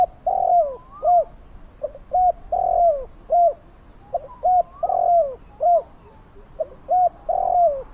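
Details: Spotted dove cooing to lure and catch wild doves, a deep fierce-voiced bird: low hollow coos in repeated groups, a long drawn coo followed by shorter clipped ones, the pattern cycling roughly every two seconds.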